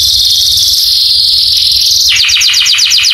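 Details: Canary (Serinus canaria) training song meant to stimulate other canaries to sing in response: a long, high, rapid trill, then about ten quick, bright, ringing downslurred whistles in a second.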